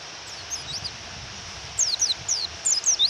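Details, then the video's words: Thin, high, descending chirps from a female white-eye provoking a male to sing, faint at first, then five clear notes in the last second and a half, against continuous rain noise. "Pleci Suara Memanggil Lawan dan Suara Hujan"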